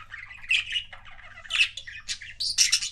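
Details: Pet budgie couple giving loud, harsh squawks and rasping chirps in quick succession, ending with a high shrill burst.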